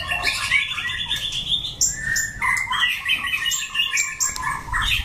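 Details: Wild-style singing from a white-rumped shama with orange feathers: dense, varied whistled phrases, sliding notes and sharp high chips delivered almost without pause.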